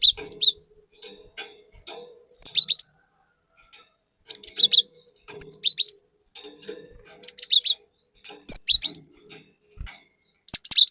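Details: Cinereous tit singing hard as a lure: repeated phrases of high, looping whistles followed by lower falling notes, roughly every two seconds, with soft ticking noises in the gaps.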